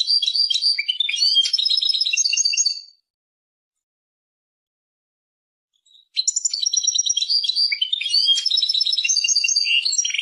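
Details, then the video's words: Two long, fast twittering phrases from a European goldfinch, high and liquid with buzzy trills and chirps, separated by about three seconds of silence. "Persian goldfinch songs اواز سهرهاي اروپاي"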